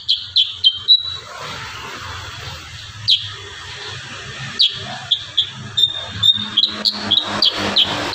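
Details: Kurincang delivering dense 'tembakan rapat' song: a quick cluster of high chirps, a pause, then scattered notes building into a faster run of sharp tweets, with a low background rumble.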